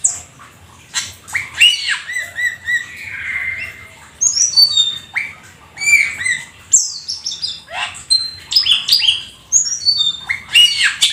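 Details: Black-winged starling in vigorous song packed with mimicked fill-in phrases: harsh rasping squawks mixed with sharp, high whistles and quick chirps, delivered in dense bursts with short pauses.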